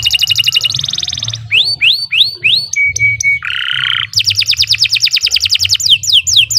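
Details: Canary singing at length as a master track for birds in training: varied phrases follow quickly, with a fast trill, a rapid buzzy rattle, rising whistles, flat tones, a harsh buzzy note, then more rapid trills and sweeping whistles, with a low hum behind.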